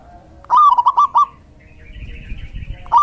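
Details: Male local zebra dove singing energetically, used to lure and train other doves: a fast rolling trill of about five clipped coos, then a faint higher background tone and the start of the next phrase.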